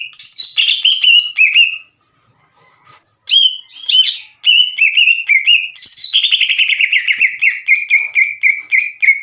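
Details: Energetic green leafbird song used to trigger untrained birds to sing along: varied sharp whistles and chirps, a pause of about a second and a half, then a long accelerating string of clean repeated whistled notes.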